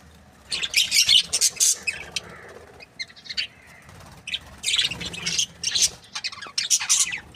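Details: Australian budgerigars in a happy breeding pair chirping in two lively bursts of high scratchy chatter, with a quieter gap holding a few soft thin notes.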